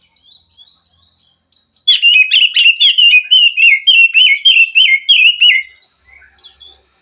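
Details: Wild forest white-rumped shama, singing in response to a captive bird reluctant to sing: soft high twitters, then a loud, regular run of rich slurred whistles about three a second, ending in quiet notes.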